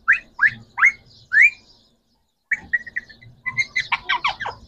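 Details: Green Pakistani talking parrots, three birds: four loud upward-swept shrieks, a pause, then fast chattering syllables building into a dense trill.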